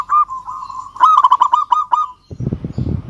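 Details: Local zebra dove singing to call a rival: a stuttered series of quick notes at a steady mid pitch, a burst of clipped rolling notes, then a low rumbling noise in the last second.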